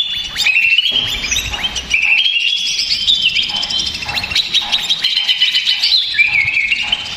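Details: Stressed, agitated greater green leafbird used as a lure for male birds: long torrent of bright whistles, fast trills and slurred notes in quick succession, loud and continuous, with short drops in intensity between bursts.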